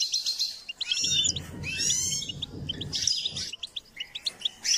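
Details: Goldfinch song during training: rapid liquid twitters and buzzy trills in repeated bursts, with a low rumbling background in the middle section and sharp separate chirps near the end.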